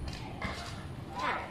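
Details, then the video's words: A myna mimics a human voice, with phrases like "good morning" and "I love you" and a "meow": a brief run of speech-like syllables ending in a clear, rising whistled tone, over a low rumbling background. "burung myna pandai tiru suara manusia/myna bird mimics human voice"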